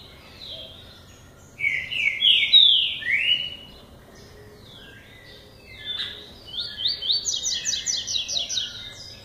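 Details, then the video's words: Lined seedeater of the classic song style, a young male beginning to sing: loud sweeping buzzy phrases around mid-high pitch, then a rapid series of repeated bright notes, with quiet gaps between. "Coleiro Tui Tui Classico (Polegato) começando cantar"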